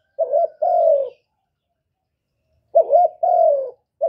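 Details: Spotted dove, recorded 2023: a quavering low note followed by a long falling coo, then a silence of about a second and a half before the same pair repeats.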